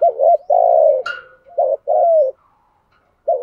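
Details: Decoy spotted dove luring wild doves with its cooing. Low, mellow phrases repeat: a brief coo, then a long falling one, twice over. One sharp click and faint chirps sound in the gaps.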